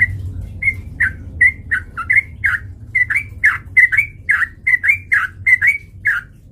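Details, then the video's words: Sooty-headed bulbul song for provoking a fight: a steady, continuous sequence of about twenty bright chirped notes, many with a rising or falling slur, evenly paced over a faint low hum. "PANCINGAN trucukan gacor TARUNG MENJADIKAN burung trucuk gacor NYAMBAR"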